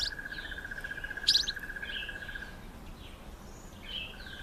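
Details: Streaky-headed seedeater, also called streaky-headed canary, eating sunflower seeds; short chirps and buzzy notes at intervals over a steady high insect-like tone lasting a few seconds.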